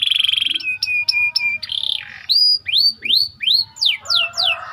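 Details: White canary singing a tight rolling song used as a master for training other canaries: a buzzy steady trill, then flat whistled notes, then a series of rising-then-falling swooping whistles roughly three per second.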